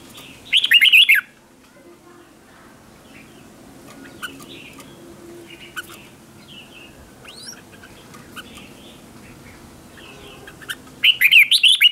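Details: Red-whiskered bulbul decoy song for calling other bulbuls, competition singing: two short, loud bursts of rapid warbled whistles at start and end, with faint distant chirps between them.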